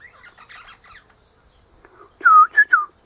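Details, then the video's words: Eastern rosella sitting high in a hedge in the morning, with its mate nearby in a pecan tree: soft scratchy chattering first, then after a pause three loud, bright piping whistles, the last slightly falling. "Eastern Rosella Parrot Chatting"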